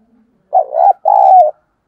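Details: Spotted dove coo played to lure and excite other doves into calling: one two-part phrase, a wavering mellow note followed by a smoother, slightly falling hoot, in quiet surroundings.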